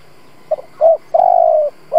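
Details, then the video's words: Decoy spotted dove cooing to draw out other doves: a faint double note, a short coo and a long level coo slowly dropping in pitch, with the next coo starting at the end. "Cu gáy mồi Gù siết bổi nhập tàn, chim cu gáy kích bổi nhanh nổi"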